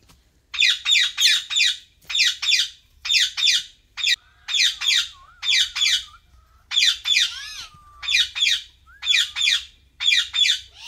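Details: Several pet Alexandrine parakeets sitting together give loud, harsh squawks in rapid bursts of two or three, repeated roughly every second, with a few short wavering whistled notes slipped in between.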